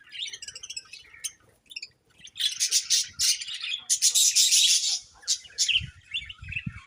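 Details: A group of budgies giving rapid, scratchy, high-pitched chirps and warbles that swell into a dense chattering burst midway, with faint low knocks near the end.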